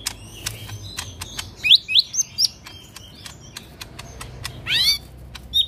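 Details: Caged lesser green leafbird in rough 'tembakan kasar' song: a run of quick upward-sweeping whistles, then a loud rising buzzy flourish near the end, over steady sharp clicking.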